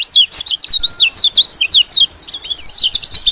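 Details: Small-bird lure of white-eye calls: a lively series of sharp, high, swooping chirps in rapid succession, roughly two per second, without pause.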